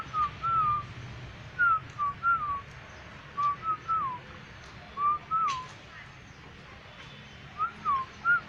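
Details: Whistling black-winged myna, yellow-crested, producing level-then-falling clear notes in paired or tripled phrases, a silent stretch of about two seconds, then more whistles near the end, over faint hum.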